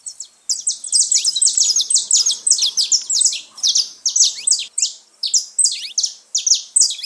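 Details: Saffron finch, called canário-da-terra, singing free in nature: dense, rapid series of bright, high chirped notes with sharp downward slurs, repeated several times a second with brief pauses.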